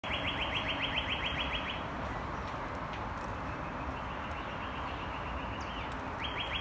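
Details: A northern cardinal near a garden gives a fast run of clear, down-slurred whistles, about six a second, then pauses and starts again, over a steady roar of traffic.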